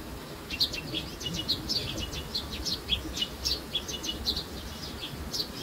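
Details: Baby sparrows giving a busy stream of high, thin chirps, overlapping and irregular, with steady low background noise throughout.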